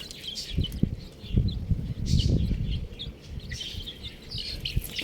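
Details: Buff chicks cheep in high, quick clusters over heavy low bumping and rumbling, with the peeps coming in brief bursts.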